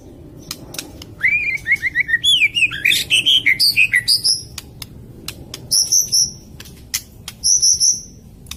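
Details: White-rumped shama song used as a lure: a quick run of repeated whistled slurs and chirps, followed by short high pure notes given in pairs, with sharp clicks and low background hiss.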